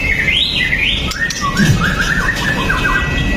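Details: White-rumped shama, a pastol murai batu with a sharp fighter style, singing to provoke other males, recorded on a phone: clear whistled phrases rising and falling, then a lower warbling run, over steady background hiss.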